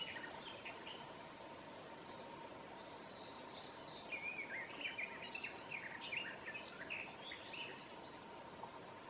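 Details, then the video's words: Garden Warbler (Sylvia borin) singing a rich, fast warbling phrase of about five seconds over a steady hum and soft background noise, at midsummer in Southern Savonia, Finland. "Garden Warbler sings"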